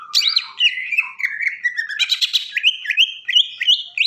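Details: Agitated greater green leafbird song, meant to provoke other leafbirds: fast, varied chirping and whistled notes stepping downward, a buzzy rattling burst midway, then a string of repeated rising chirps.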